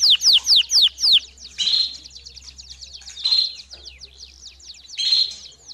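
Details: Domestic canary song offered as training for young birds. It opens with loud descending whistled sweeps, then turns into a softer rapid trill broken by three brief, louder buzzy bursts.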